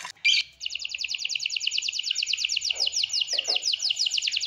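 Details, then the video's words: Songbird on a masteran song-training recording: one sharp, piercing chip, then a long, steady, rapid high trill of evenly spaced notes, with brief lower buzzy sounds underneath. "masteran full tembakan istimewa"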